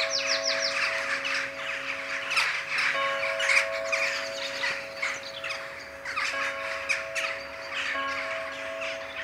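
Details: Evening ritual of jackdaws in the Ringenberg sky, original sound with the Protestant church's 19:00 chime; waves of harsh, jostling flock calls rising and falling, accompanied throughout by ringing church bells.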